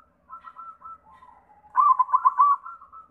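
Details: Lure song of a white zebra dove meant to set other doves singing: soft wavering coos, then a loud burst of quick, bubbling staccato notes followed by a sustained trill.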